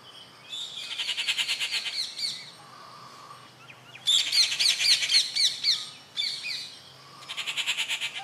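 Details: Rufous treepie calls recorded at Kattupadi on June 19, 2021: repeated loud rattling bursts of quick harsh notes, with one brighter, chattering phrase in the middle and a low hum beneath.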